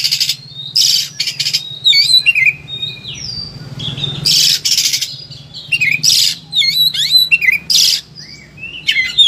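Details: Highly agitated Oriental magpie-robin alternating harsh noisy bursts with clear downslurred whistles and short rising notes, phrases separated by brief gaps, over low background hum; played to stimulate other magpie-robins to sing.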